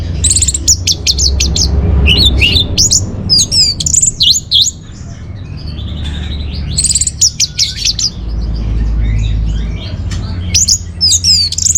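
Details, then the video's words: Orange-headed thrush song, used as a lure and master song for training songbirds: loud, fast, varied phrases of high whistles, sharp chirps and buzzy trills in dense bursts, with a brief quieter pause midway over low background rumble. "Bikin Geger ANIS MERAH Dirumah Pasti Gacor || Pancingan sekaligus Masteran Burung Punglor"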